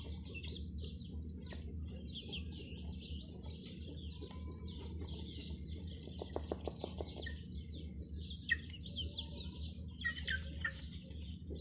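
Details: Many chicken chicks with a hen, peeping nonstop in high, short, down-slurred chirps that overlap densely; a quick burst of low, rapid clucking pulses near the middle, all over a steady low hum.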